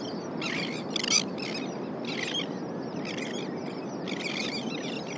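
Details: Elegant terns in July on the California Central Coast, adults flying in from the sea with fish to feed young: harsh, grating calls in ragged bursts about once a second over a steady roar of colony and surf.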